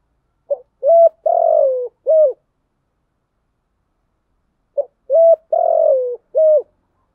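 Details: Spotted dove giving soft, low, hollow coos in a four-note phrase, a short note then three longer ones, repeated after a pause of about two seconds; cooing used to provoke a decoy-trained bird to respond.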